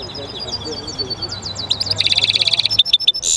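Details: Singing European goldfinch mule, known as jilguero mixto: soft, faint high twitters over a low steady hum, rising into a loud rapid metallic trill of repeated notes, then a few sharp chirps.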